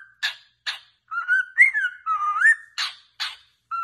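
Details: Pet cockatiel whistling song meant to teach cockatiels to sing: harsh chirps alternate with a wavering, up-and-down whistled phrase, followed by more rasping chirps and a short whistle.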